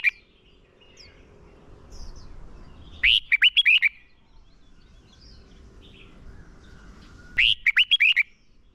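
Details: Red-whiskered bulbul used as a decoy, giving a fighting song to lure rival birds and train singers for contests; two bright warbled phrases of about six slurred notes each, roughly four seconds apart, with quiet background between.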